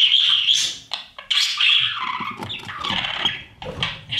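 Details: Baby budgies in a breeding nest box being fed by their parents. Shrill, wheezy, drawn-out squeals and rapid raspy calls, with soft thuds of movement.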